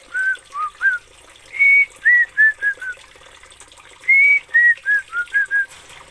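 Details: Whistled phrases of an Oriental magpie-robin from Aceh: short pure notes slurring up and down, then a longer high whistle followed by a descending string of brief notes, twice over.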